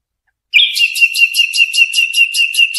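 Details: A European goldfinch, recorded for training chicks, holds a high, even trilled note with a pulsing rhythm of about five beats a second for over two seconds.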